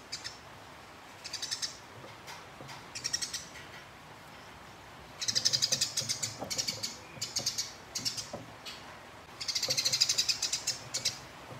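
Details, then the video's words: Rolling fight chatter of a house sparrow squaring off against a rival: fast, scratchy pulses delivered in long bursts, about four notes per second overall, separated by brief pauses. "Burung Gereja Tarung Ngeroll Konslet Nyerecet Panjang Abis"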